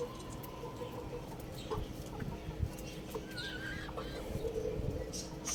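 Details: Young rooster playing on a roof, chirping: a faint wavering chirp midway through, with a few soft clucks over a steady low hum and background noise.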